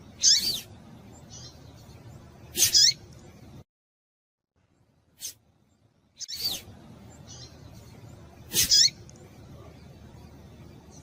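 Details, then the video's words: Calling to excite a male, a female rusty-collared seedeater gives shrill, squeaky chips in pairs, each pair about two seconds apart. Softer faint notes and a low hiss run throughout, broken by a short silent gap. "Melhor fêmea de coleiro quente para esquentar coleiro"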